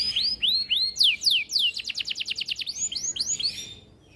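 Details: Canary song in elaborate masteran style: arched whistled notes, steep descending sweeps, a fast even trill of rising notes, then more arched notes fading out.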